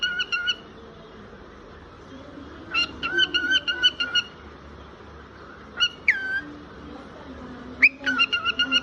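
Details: A cockatiel sings in short bursts of clear, ringing whistles with quick repeated chirps between pauses.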